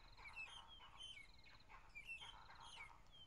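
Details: Magpie-shrike (Urolestes melanoleucus) singing on a morning drive, 15 April 2011, possibly a female or juvenile, with four or five calling around: clear whistled notes mixed with chattering in bursts about every second, over low engine rumble.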